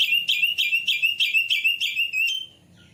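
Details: White-rumped shama lure for quick singing and tail opening: a dense, fast run of about eight bright repeated whistled notes, ending in a soft fading note.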